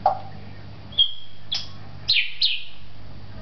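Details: An African grey parrot kept at a pet shop in Beit Hanina, Palestine, a talking bird, gives a low squeak, then a thin high whistle and three sharp descending squeaks within three seconds over quiet room hum.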